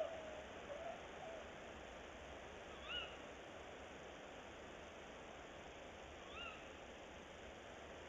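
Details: Tawny owls at a nest box before dawn at 06:43 on 22 February 2018, male on a branch and then female entering the box: two short, sharp, slightly rising calls about 3.5 s apart, faint over steady hiss.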